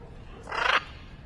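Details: Wild blue-and-yellow macaw relaxing at sunset on a dark cloudy day gives a single harsh, raspy squawk lasting about a third of a second over a low background hum.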